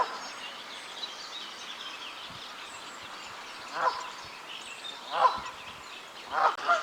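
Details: Canada geese (Branta canadensis) give three loud, nasal bursts of harsh honking at a lake on a rainy spring morning. They are agitated at being driven off by a male mute swan guarding a new nesting site.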